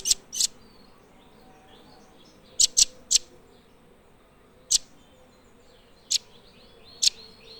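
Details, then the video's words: Blue nuthatch giving scattered, sharp, very high single and paired notes at irregular gaps of half a second to two seconds, with a faint, softer twittering in the background. "Blue Nuthatch Birdsong"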